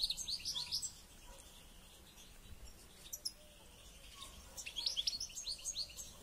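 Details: Caged European goldfinch being trained before a local goldfinch championship: short bursts of bright, high twittering notes at the start and again near the end, separated by a quiet stretch with faint background noise.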